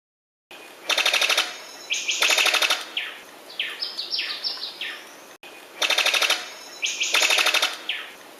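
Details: Sicklebill bird-of-paradise calling: loud, dry, rapid rattling bursts about half a second long, like a machine gun, followed by short descending whistled notes in a quick series. The whole sequence then repeats after a brief cut.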